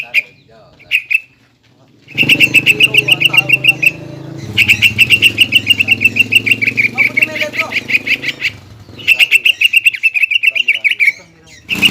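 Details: Lively greater green leafbird in full song, used as a lure to provoke a rival leafbird into fighting, its varied phrases mimicking other birds. Long runs of rapid, buzzy, pulsed high notes are broken by brief pauses over a steady low rumble.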